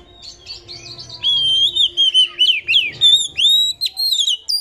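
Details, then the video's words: Oriental magpie-robin, used as a lure to make other magpie-robins spread their tails and sing, gives a rich, varied run of loud whistles, sweeping slurs and chattering notes, several per second with hardly a pause. "kacer buka ekor, nyrecet langsung bongkar isian"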